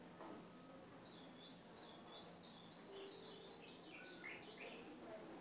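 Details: Ultramarine grosbeak song for training a caged capped seedeater. Soft, high, wavering notes run into a rapid cascade of descending slurs, faint against a hissy background with a low hum.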